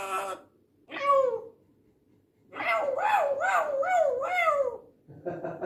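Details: Talking African grey parrot giving speech-like vocal phrases: one short utterance, a pause, then a run of four or five arched, harmonic, voice-like syllables, ending with a brief fragment; quiet indoor background.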